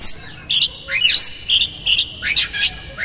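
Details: Oriental magpie-robin singing hard to provoke another bird: swooping rising and falling whistles over a steady high tone, interspersed with short bright notes and scratchy chirps.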